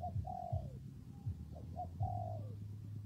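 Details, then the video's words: Brief, quiet spotted dove cooing in rainy, windy weather: a mellow, falling coo, a pause, short notes, then another long, descending coo, all over a strong, low, humming drone. "Thời tiết mưa gió ace vào nghe cu gáy gù cả ngày"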